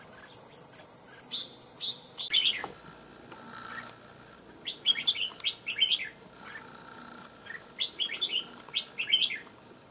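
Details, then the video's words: Red-whiskered bulbul caught from the wild and now caged, said to open its beak often with a loud ringing voice: three distinct bursts of bright, slurred whistled notes separated by short pauses, with a sharp click near the first. "Cực Mau Mỏ Giọng To Chuông"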